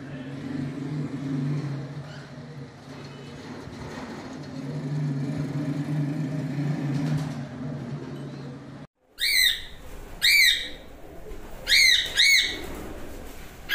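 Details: A cockatiel colony: a steady low engine-like rumble for about nine seconds, then several cockatiels give four loud, harsh, rising whistled screeches in quick succession.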